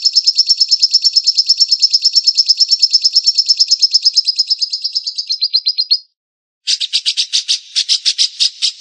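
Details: White-rumped shama delivering a long, high, fast rattle that quickens and drops slightly in pitch before stopping. After a brief pause, a harsher burst of separate, chattering notes follows.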